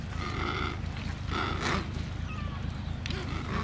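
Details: Adélie penguins calling at a breeding colony on Paulet Island, Antarctica, in early February 2019: loud, hoarse, braying bursts repeat with short gaps, and a faint thin whistle follows, over persistent wind rumble.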